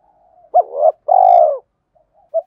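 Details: Spotted dove giving one full coo, used for song training of birds: a rising opening note, a pause, then a long steady vibrating coo, with a brief soft note afterward.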